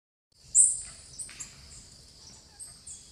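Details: A plain parakeet (Brotogeris tirica) eating banana at a bird feeder in an Atlantic Forest reserve in Guaramirim, Santa Catarina, Brazil, on 17/06/2022, gives shrill, very high, scratchy notes: one loud burst, then several fainter chips over three seconds, with low rumble.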